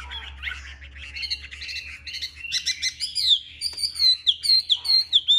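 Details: Chinese hwamei kept as a cage bird, performing its fighting display: a loud, varied song that builds from soft warbling into clear, ringing whistles, each swooping up then down, repeated more than twice per second.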